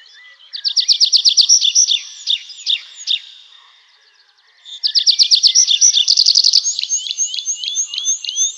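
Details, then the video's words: At night in the forest, a nightingale delivers a rapid rattling trill with scattered sharp notes. After a short pause comes another fast trill, then a string of quick rising whistles. "How beautifully the nightingale sings"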